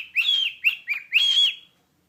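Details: A domestic cockatiel whistles part of "Jingle Bells" to its owner, one long sustained whistle, two short bouncy notes, then another drawn-out high tone.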